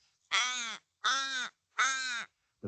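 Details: Little Raven giving three short, harsh, evenly spaced caws, about one every three-quarters of a second; the call is regular, clipped rather than drawn out, and deeper in tone and pitch than an Australian raven's.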